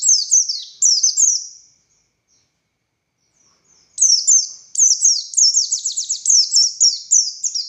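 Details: Oriental white-eye of the buxtoni form in persistent 'ngalas' singing, meant as master song for other white-eyes: shrill descending chirp runs, a two-second silence, then a fast, dense stream of high twittering notes.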